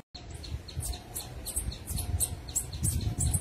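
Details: Orange-headed tanager (Thlypopsis sordida) singing in the wild: a steady series of short, very high, thin chirping notes repeated rapidly, over a low rumble of wind or handling noise.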